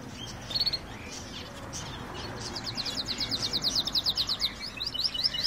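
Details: Canary song: high, rapid rolling trills of evenly repeated notes that build in the second half after a few scattered chirps, over a low steady background hum.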